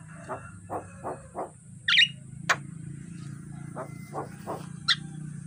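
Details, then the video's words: Javan myna in the morning, recorded for training other birds: a series of short harsh nasal notes, then sharp high whistled chirps near the second and at the end, over a steady low hum. "Suara jalak kebo masteran pagi hari"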